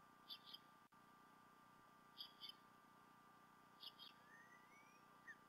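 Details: Adult bald eagles, male and female together at the Decorah North nest, 28 February 2016, late morning to early afternoon, fish delivered to the female; faint high paired chirps repeating about every 1.8 seconds over steady background hum.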